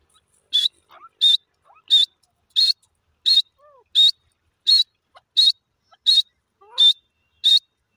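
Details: Francolin chicks (Iranian desi teetar) calling: high, clear whistled notes, each with a slight upward inflection, repeated steadily about every 0.7 seconds, with faint short chirps and sliding notes between them.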